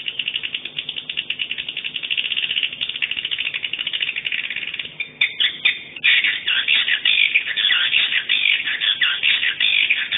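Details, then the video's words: Swiftlet sound entered in a 2017 swiftlet sound tournament, day 2, in the style called "50 kisses": dense high twittering chatter for five seconds, then sharper rapid chirps and clicks in quick uneven bursts. "SWIFTLET SOUND TOURNAMENT 2017 Day 2 50 kisses"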